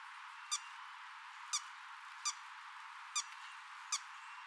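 Buff-winged Starfrontlet giving five short, sharp, high chips at uneven intervals about one second apart, over a faint steady hiss.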